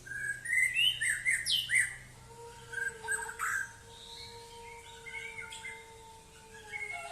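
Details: White-rumped shama delivering a series of loud, bright, slurred whistles in quick succession, followed by quieter notes over a steady low humming tone.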